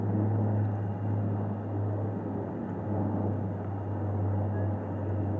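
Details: Deep steady hum and rumble, like an engine or wind, with no animal sounds.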